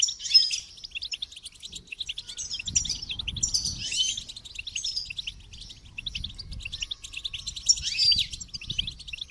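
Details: Goldfinch song in quick high twittering phrases with tinkling notes and short buzzy bursts. Louder passages come near the start, middle and end, with faint low thumps.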